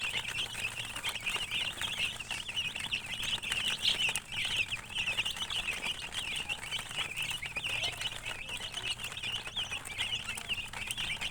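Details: Baby chicks chirping without pause, many thin high peeps layered over each other, along with rustling and clicks and a faint low hum.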